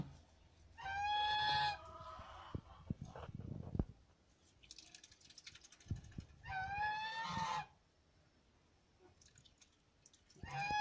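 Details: Geese on a farm giving loud, drawn-out nasal calls, each about one second long with a steady, slightly rising pitch, heard three times in eleven seconds, with clattering, knocking and rustling farm noises between calls.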